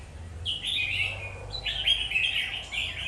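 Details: Red-whiskered bulbul singing two or three rich, warbling whistled phrases, each about a second long, clear over faint low background hum.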